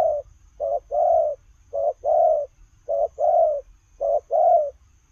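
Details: Paired coos from a running spotted dove, each a brief low note followed by a longer rolling coo, given four times at a fairly even pace over a quiet background.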